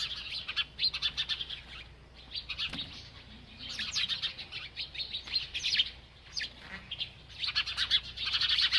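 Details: Busy, high chirping from a bird at its food, with rapid strings of sharp tweets, a quieter lull midway, then dense chatter building again.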